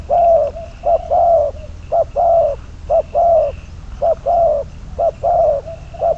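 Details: Caged decoy spotted dove kept for trapping gives repeated two-part coos, a brief note then a drawn-out hollow one, roughly once per second throughout, over a faint high whine.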